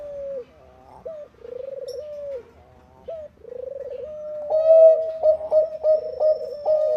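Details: Singing Bangkok zebra dove, played to start other doves singing: soft wavering coos with brief gaps, building into louder, rhythmically broken coo notes held at one pitch.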